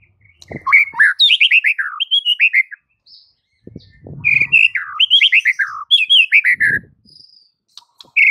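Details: Master recording of white-rumped shama song for stimulating silent birds: three bursts of loud, cascading descending whistles, each followed by a brief pause, with faint low thumps between phrases.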